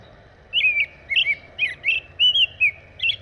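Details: Steady American robin song, six or seven rich slurred whistled phrases following one another closely, each dipping and rising, over a quiet background.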